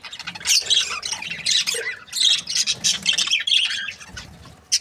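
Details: Continuous scratchy warbling and squawky chirps from a contented Australian budgie breeding pair, notes tumbling together in a lively, irregular stream.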